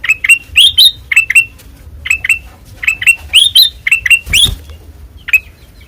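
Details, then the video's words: White-eyed kutilang emas (Ruby-throated bulbul) in open ngeplong song: bursts of sharp, swooping chirps with uneven pauses, one harsher burst near the end. "Suara Asli Ngeplong Kutilang Emas Mata Putih Gacor Dor"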